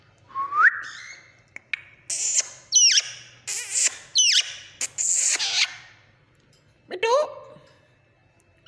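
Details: A tame pet green rose-ringed parakeet at home talks in short, raspy, high-pitched word-like bursts, with clear rising whistles at the start and end.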